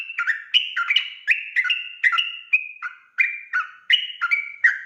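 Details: Lively ropel-style song of a sooty-headed bulbul, a lure recording meant to draw an instant reply; overlapping liquid whistles stepping between two pitches, delivered in a quick run of about a dozen notes.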